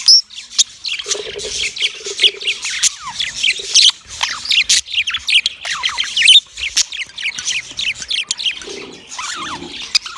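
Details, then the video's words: Male yellow budgerigar giving mating chirps: long unbroken chatter of fast scratchy clicks, squeaks and falling whistled slurs, with soft lower murmurs now and then beneath. "Yellow Male Budgie chirping sounds , Matting sound"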